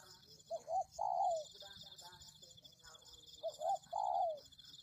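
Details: Two spotted dove phrases recorded to lure birds, each with two quick rising hoots and then a long wavering coo that falls away, separated by a pause, over a continuous high buzz.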